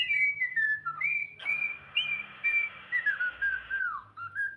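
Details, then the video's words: Cockatiel singing in a small room: flowing whistled phrase of sliding notes over a faint hiss, a long held tone dropping at the end. "cockatiel singing"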